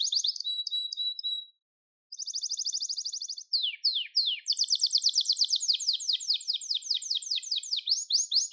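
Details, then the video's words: Gloster canary singing: high rolling trill, a short break, then a steady even trill, a few downward-swept notes, and a long fast series of rapid repeated chops continuing to the end. "Gloster Kanarya Sesi Ve Ötüşü"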